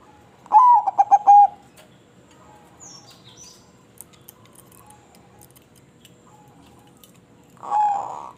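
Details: Crossbred zebra dove delivers a crisp cooing phrase: a rising lead note, quick stuttered coos, then a longer held note. After a quiet stretch with faint ticks and chirps, a blurred second phrase begins near the end.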